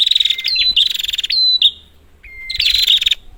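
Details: Prinia calling, used as a lure for silent prinias. Buzzy high trills with rising starts, then a lull. A single steady whistle then leads into a final rattling burst.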